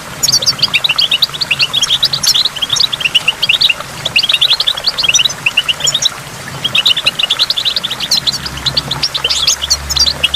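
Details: A goldfinch sings by a waterfall with water drops, delivering long twittering phrases of quick high chirps separated by short breaks, with a low steady hum later on.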